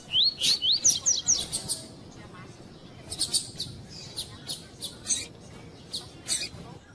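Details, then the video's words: Female double-collared seedeater piping to stir up a male coleiro tui-tui. A quick run of upslurred whistled notes opens the clip, then a series of sharp, clicking, buzzy bursts repeats irregularly over soft background hiss. "COLEIRO TUÍ-TUÍ FIBRA COM FÊMEA CHAMANDO PARA ESQUENTAR COLEIRO TUI TUI"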